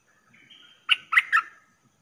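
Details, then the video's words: Streak-eared bulbul lure call used for trapping, recorded 19 September 2021: a soft rising whistle followed by three loud, rich chirped notes in quick succession, clear and free of other sounds. "Suara pikat merbah lekir"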